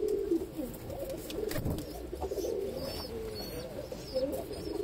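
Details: Ash-coloured baby pigeon setting; throaty pigeon cooing continues throughout, joined by faint high chirps from another bird in the background.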